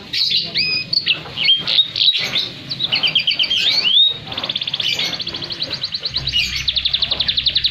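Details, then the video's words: Canary singing to coax silent canaries and as a master recording for other birds; bright whistled upslurs and twisting phrases give way to a long, fast, evenly pulsed trill. "KENARI GACOR ATAS BAWAH || cocok buat pancingan kenari macet bunyi & masteran burung"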